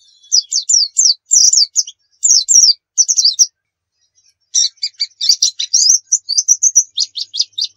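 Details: Javan white-eye, dakun type from Pacitan, singing tutor song: bursts of high twittering phrases, a brief silence, then a busy run of sharp chirps and short trills.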